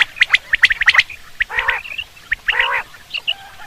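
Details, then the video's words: Common quail calls used for hunting: quick bursts of sharp, clipped notes near the same pitch, with two louder nasal, harmonic-rich calls in the middle and a few fainter notes at the end. "Quail sound for hunting /Batir ki Awaz"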